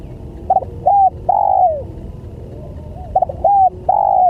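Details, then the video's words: Spotted dove cooing as a lure for other doves, two matching phrases about two and a half seconds apart, each a quick note, a flat coo and a long coo that slides downward at the end. "Suara Pancingan Tekukur"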